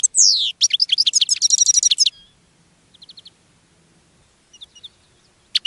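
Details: A goldfinch sings from a cage, attracting other goldfinches: a descending buzzy slur, then a fast jumble of liquid twitters and a rattling trill, followed by soft faint chirps.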